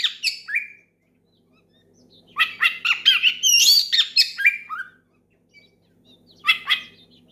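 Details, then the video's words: Oriental magpie-robin singing loud ngeplong phrases to call a rival and stir other magpie-robins into song. A brief whistled opener is followed by a dense, scratchy flurry of high rising whistles, a falling slur, quiet, and one last short burst. "SUARA KACER MEMANGGIL LAWAN NGEPLONG KERAS BIKIN KACER LAIN IKUT GACOR"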